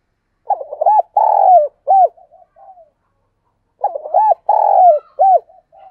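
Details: Decoy spotted dove giving a provoking call to draw a response: stuttered short notes, a long cooing note falling in pitch, a rounded coo and soft trailing notes, the whole phrase repeated after a three-second pause.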